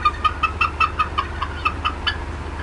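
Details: Agitated female bald eagle clucking at the Decorah North nest, April 18, 2016, 4:23 PM CDT. A tight run of about twelve sharp, evenly spaced chirp-like notes with strong overtones, over a faint low hum.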